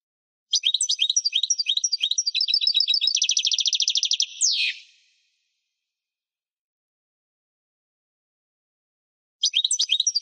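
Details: European goldfinch in full song: a long phrase of lively, high twittering notes, then a rapid buzzy trill and a falling sweep, followed by silence until another twittering phrase starts near the end.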